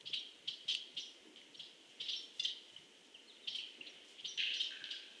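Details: Titmouse perched in a tree eating seed, giving short chirps and chip notes in irregular bursts, with faint rustling and pecking between calls.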